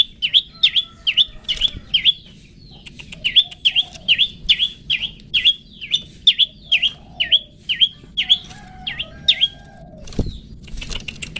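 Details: Pet-bird training recording of long-tailed shrike 'toet toet' song: a long rapid series of clear, dipping whistled notes, evenly repeated with brief pauses and one soft thump near the end.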